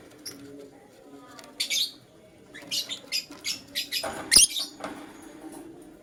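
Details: Morning chirping from a lutino lovebird. A couple of shrill notes come first, then a quick run of sharp, harsh chirps, about two per second. Scattered rustling and one loud knock are also heard.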